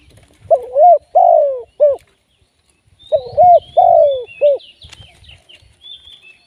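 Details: Spotted dove used as a live decoy for trapping. Two mellow three-part cooing phrases: a short note, a long drawn coo falling in pitch, then a clipped final note. Faint high chirps from other birds follow the second phrase.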